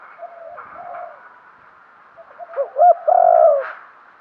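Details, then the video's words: Thúc gù cooing from a decoy spotted dove used to lure wild doves: soft low murmurs at first, then rising to a few sharp loud coos and one long drawn-out final coo. "chim cu mồi thúc gù, chim cu gáy kích bổi mới nhất, cu cườm thúc gù giọng hay"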